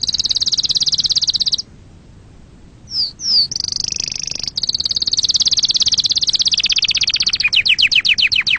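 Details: Canary singing meant to excite birds and teach chicks: a sustained high buzzing trill, a pause, two slurred notes, a long rolling trill, and a finish of rapid downslurred notes.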